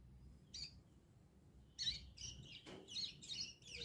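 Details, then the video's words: Bar-winged prinia heard in the wild, giving its ngriwik-style song: one short high chirp, then a burst of rapid, bright chattering notes delivered in quick clusters over a steady low hum. "cigun ngriwik"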